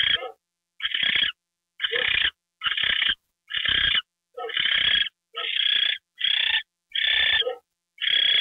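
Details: An owl on January 28, 2013 at 9:33 PM, getting a mouse treat, gives harsh, hissing rasps in bursts of roughly half a second, repeated about once a second in a quiet setting.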